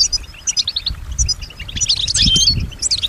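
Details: European goldfinch, female, imitating nearby sounds; scattered high chirps and twitters building into a denser tinkling jumble, over low background thumps and rumble.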